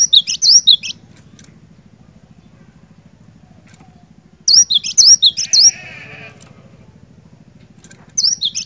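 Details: Cinereous tit in full, lively song, used to coax a quiet bird into singing: a short burst of high, ringing two-note phrases, then a pause over a low engine-like hum, another burst and a buzzy harmonic note, and singing resumes.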